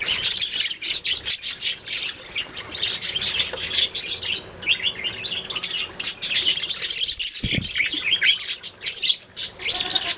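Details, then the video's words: Budgies singing and chirping nonstop, a busy mix of scratchy warbles, squeaks and sharp high chirps, with a brief low thump near the middle. "Budgies singing making sounds chirping"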